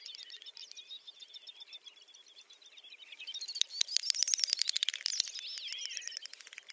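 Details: Great Snipe at a lek in Ryazan oblast, Russia, in April 2019 give a display of high, bubbling twitters building into a rapid run of dry clicks, then sliding whistled warbles. Several birds seem to overlap.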